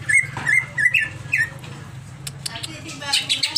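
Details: Agitated greater green leafbird uttering a series of short, bright whistled notes in quick succession, followed by softer scattered chips and a few high squeaks, over a low background hum.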